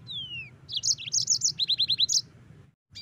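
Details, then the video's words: Yellow-fronted canary (Mozambique finch) song used as a master recording for training cage birds: a falling whistle, then fast bright chattering notes and a run of repeated rising slurred chips, high-pitched, with a low background hum. "Masteran Mozambik Gacor - CEPAT DI SAHUT LAWAN."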